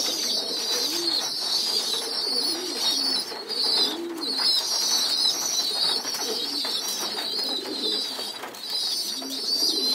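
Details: Pigeon youngsters begging while being fed as a group on the floor, giving a loud, high, scratchy squealing chorus that rises and falls, with occasional soft adult coos below.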